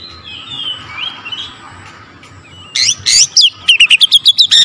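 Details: Oriental magpie-robin in loud song to provoke other magpie-robins. Faint, wavering whistles give way to harsh, overloaded bursts and then a fast run of short, sharp notes, repeated roughly five times per second.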